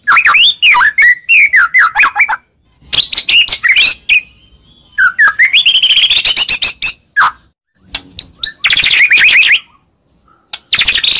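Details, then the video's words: White-rumped shama lure song for rousing a silent shama: long varied run of descending whistles, dense chattering bursts, pauses and a fast high trill toward the end. "Pancingan Handal Buat Murai Diam Seketika Langsung Emosi"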